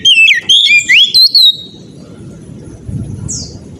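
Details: Oriental magpie-robin in persistent ngeplong song: a quick sequence of loud, bright whistles sliding up and down for about one and a half seconds, followed by low rumble and a single faint high note.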